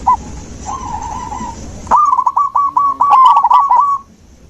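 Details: A zebra dove sings, played as natural therapy for a dove that has gone quiet: soft, distant, rolling notes, then a sudden close phrase of rapid, gurgling, repeated coos lasting about two seconds.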